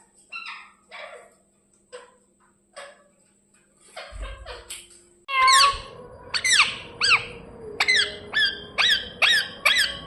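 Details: Pet parrot gives soft short chirps, then after a brief noise bursts into loud sharp downslurred chirps repeated about once a second, with some background hum.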